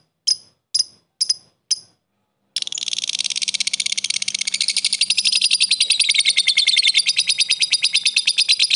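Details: A lovebird gives four sharp chirps, then breaks into a long, rapid, high-pitched chattering trill, continuous "ngekek" chatter from a fighter bird, used to provoke other lovebirds into calling.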